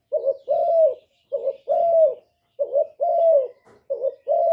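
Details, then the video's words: Repeated low, mellow cooing from a spotted dove, each phrase a quick warbled double note and then a drawn-out coo, about four phrases given steadily in succession. "CU CƯỜM GÁY"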